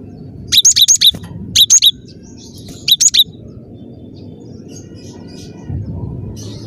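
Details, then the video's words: Gelatik batu singing gacor: three short bursts of rapid, high, sharp notes, four or so in each, separated by pauses over steady low background noise. "Burung gelatik batu gacor"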